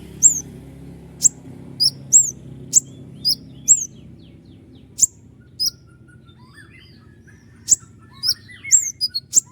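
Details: A vocally active Common iora fires repeated sharp, high piercing chips and slurred whistles in tight groups, pausing briefly between bursts, with a faint low hum in the background.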